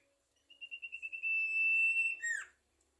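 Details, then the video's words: Sumatran leafbird in lively song: a run of quick pulsed notes merging into a long steady high whistle, ending in a sharp downward slurred flourish. "burung sirtu gacor"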